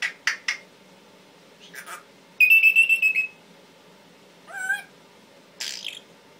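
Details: Male Timneh African grey parrot living as a family pet: clipped clicks and speech-like sounds, a loud pulsing shrill whistle, a wobbling warbled note, then a breathy syllable.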